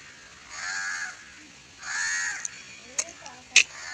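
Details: Barn owl, captive, recorded while being taught to fly, giving two long harsh hissing screeches about a second each, followed by sharp clicks and knocks.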